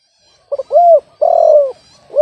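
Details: Spotted dove whose voice is described as off-key rather than the big voice hoped for. Short stuttered notes lead into a rising-falling hooked coo, then a long, rough, slightly descending coo, with another coo starting at the end.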